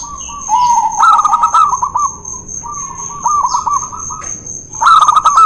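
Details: Zebra doves, local and white birds in a singing duel, used to prompt doves reluctant to sing: bursts of rapid, rolling coos with a steady high electronic whine behind.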